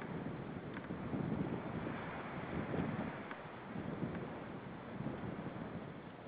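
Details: Steady wind buffeting and low rumbling water or boat noise, with no animal voice heard.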